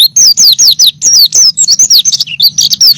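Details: White-eye singing vigorously, recorded as a training track for songbirds: a loud, fast run of high, thin descending whistled slurs and sharp chirps, almost without pause, over a faint low hum.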